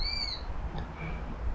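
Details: Eurasian sparrowhawk in a London woodland in early July, heard but unseen and probably a young bird: a thin, high, slightly drawn-out whistle, then a fainter, shorter whistle a second later, over a low rumble of wind.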